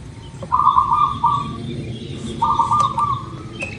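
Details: Local zebra dove singing two steady, bubbling coo trills about a second long, separated by a short gap, as a lure for getting birds to start singing; soft background hiss and faint ticks.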